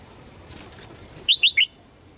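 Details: Female red-whiskered bulbul calling to attract a strong male, three quick, loud chirps in succession, each slurred, the last one lower, following a stretch of soft background hiss.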